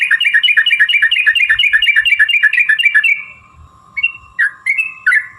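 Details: Sooty-headed bulbul, described as a female calling the male, in a long rolling sequence: three seconds of rapid chattering whistled notes, then a pause and several separate swooping whistles over a faint hum.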